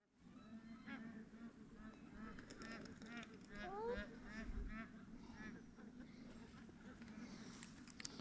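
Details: Black-necked cranes in Tibet give overlapping, harsh honking calls in a loose chorus, several per second, over a steady low rumble.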